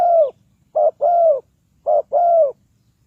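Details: Spotted dove from Ninh Thuận, a decoy bird calling to lure wild doves into a trap: loud low coos in pairs, a short note followed by a longer falling one, repeated about every second in a quiet setting.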